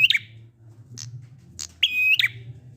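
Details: Prinia in ngalun song, meant to get reluctant prinias singing: a couple of sharp chirps around a flat, buzzy, nasal held note, with faint clicks and a steady low hum behind.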